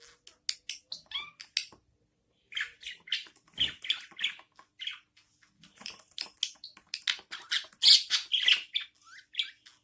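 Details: Budgerigar mother feeding her newborn chicks indoors; the chicks give a steady stream of harsh, scratchy chirps, pausing briefly before the calling resumes faster and more crowded toward the end.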